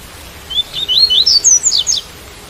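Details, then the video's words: Tui-tui style song of a double-collared seedeater, recorded with rain: a lively phrase of about eight whistled notes that climb in pitch, then end in quick downward-slurred notes, with a soft constant hiss behind. "Coleiro Tui Tui - Com Som De Chuva"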